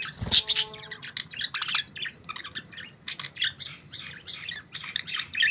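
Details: Budgies chirping: dense bursts of bright, scratchy chirps and squawky notes, many birds overlapping, with a brief harmonic whistle near the start and a low background hum.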